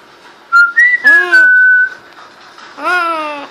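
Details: A household parrot whistling for the first time: one clear whistle rises, then holds a long steady tone, overlapped by a person's voiced "wow" calls in a small indoor room.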